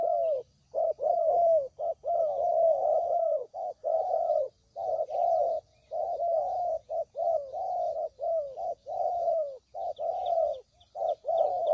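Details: Spotted dove lure call for trapping: dense, nearly unbroken run of throaty coos over a dozen seconds, with faint high chirping of small birds throughout.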